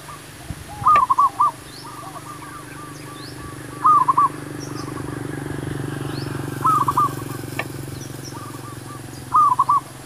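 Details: Wild-dove luring with a zebra dove: clear stuttering, purred coo phrases repeat about every three seconds, four in all, each ending in a drawn rolling note, over a steady low hum and quiet outdoor ambience.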